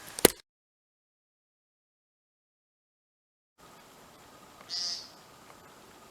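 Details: At night in early spring, with snow still on the ground and cold weather, a returning American woodcock gives a single short, nasal, buzzy peent against a quiet hiss, after a sharp click and a long silence.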